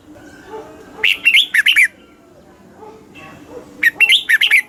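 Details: Red-whiskered bulbul in Thailand, a caged bird's southern-style master song played to excite caged birds and teach young birds; two short bursts of rich, warbling whistled notes, rising and falling, about three seconds apart over faint background hum.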